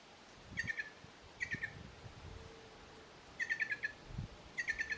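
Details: Feeding flock of plush-crested jays in Arapongas, Paraná, Brazil, giving four short bursts of quick clipped ringing notes with gaps between, against a dull low background rumble.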